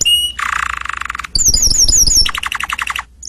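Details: Canary song mixing a brief pure whistle, a harsh buzzy tour, a high rapid down-slurred trill and a run of pulsed notes, with some low rumble underneath.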